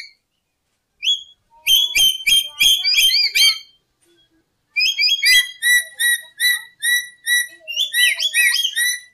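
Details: Lory calling, recorded as a trapping lure: after a pause, dense sequences of short whistled notes, several per second, some sharply upslurred, with light tapping noises in the background.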